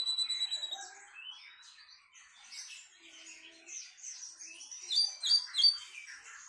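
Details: Sunda bush warbler (tledekan melayu) singing melodiously: high thin whistles and rising slurs, then a burst of rapid sharp chipping notes near the end.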